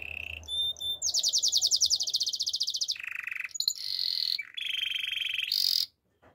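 A Waterslager canary sings a rapid, rolling trill of fast-repeated notes, switching between bubbling and steady whistled tours at different pitches.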